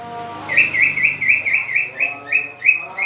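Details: Captive green leafbird during pairing, giving a run of about ten short, bright notes repeated roughly four per second at an even pitch, over a steady low humming tone in the background.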